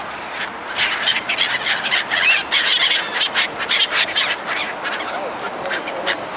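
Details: Gulls crowd in as people hand out food, giving bursts of squealing, slurred cries that rise and fall in loudness over a continuous hissing background.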